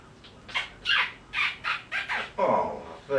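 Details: Pet parrot, a swearing talker, imitating human speech in short loud word-like bursts, about eight syllables over three seconds, voice-like with clear harmonics, indoors.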